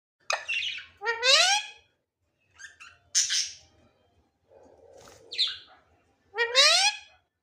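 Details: Pet Indian ringneck parrot talking indoors: loud, rising, strongly harmonic squawk-like phrases and short voiced bursts come in groups with pauses between them.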